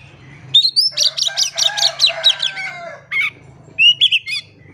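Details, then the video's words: Oriental magpie-robin singing energetically, a lure for birds that stay silent: a rising whistle then a dense burst of repeated falling notes over a low steady hum, followed by scattered whistled calls. "PANCINGAN KACER GACOR. KACER DIAM MALAS BUNYI COBA PANCNG DENGAN KACER INI"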